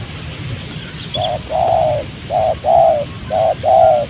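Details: Spotted dove answering a decoy in a rubber plantation near houses during trapping. Paired coos, a short note then a longer arched one, repeated three times in quick succession.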